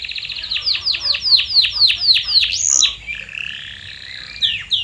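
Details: Canary singing as a training lure for silent birds: rapid run of high descending sweeping notes about four per second, a brief high whistle, then a smooth sustained warbling tone and two more sweeps.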